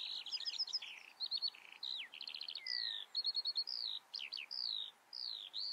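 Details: Eurasian skylark singing a long, fast medley of rattled trills, clipped chirps and sweeping whistled slurs, high and sustained throughout.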